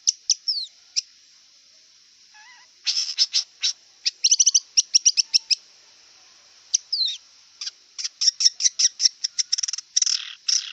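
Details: Wild long-tailed shrike song: a few sharp slurred whistles, a soft low warble, then long fast series of crisp chips and chattering bursts, with a thin constant high drone throughout.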